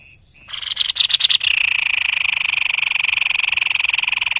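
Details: White-bibbed babbler singing energetically, a master bird from Indonesia: a few quick broadband notes, then a long harsh buzzy trill held steady for about three seconds, pulsing rapidly with bright overtones.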